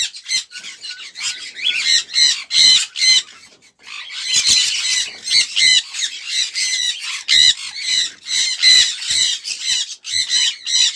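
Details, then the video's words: Sun conure calling with grating, high-pitched squawks in uneven clusters, a short pause near the fourth second, then repeated strident bursts, some with a thin whistled edge. "05 Minutes Sun Conure Bird Sounds | Sun Conure Bird Sound Effects"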